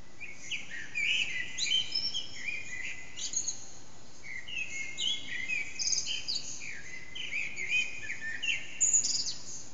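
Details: Eurasian blackbird, one or more, in early morning song near 4:30am, unseen in an echoing backyard, recorded with an HTC Desire: repeated mellow whistled phrases, each ending in high twittery flourishes, about every two seconds.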